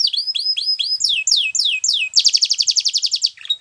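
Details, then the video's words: Belgian canary song built from repeated high whistles that sweep downward, several per second, followed by a fast, pulsing rolled trill lasting about a second before a brief final chirp. "Belgian Canary Singing !! Canary Birds Sounds"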